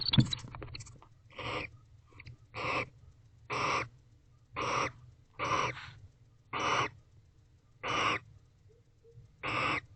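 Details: Wild bonded pair of barn owls in a nest box at night, 10:59 pm on 19 October 2024, after mating and affectionate kissing; harsh breathy hissing screeches about once a second, nine bursts, with some scratching at the start.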